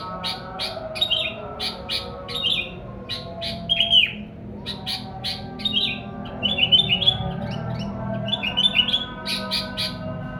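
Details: Sooty-headed bulbul song meant to attract wild bulbuls: irregular bursts of crisp chirps alternating with slurred, falling whistled notes and short trilled phrases, steady hum underneath.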